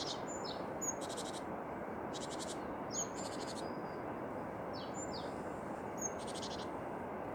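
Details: Tits sing: three buzzy rattles spaced about two seconds apart, between thin high whistles and paired falling slurs, with a steady background hiss.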